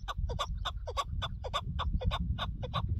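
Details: Chukar partridge on a partridge hunt, giving a rhythmic run of throaty clucking notes, close and regular at about four per second, over constant low wind noise.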